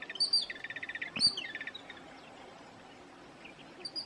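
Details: Jungle babbler calling: a quick rattling series of about eight harsh, evenly spaced notes, then a brief louder chirp and a thump, followed by fainter scattered notes against soft background noise.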